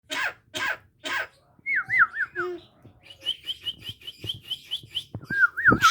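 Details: Javan myna producing a fierce cough-like sound: three harsh, raspy bursts, then wavering whistled notes and a rapid series of short rising whistles, ending with another wavy whistle.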